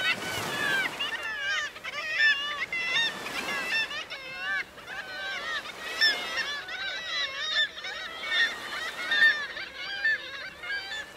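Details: Kittiwake colony at Bempton Cliffs, East Yorkshire: a loud, unbroken din of many birds giving nasal, warbling calls, notes bending up and down in pulses roughly every second or two.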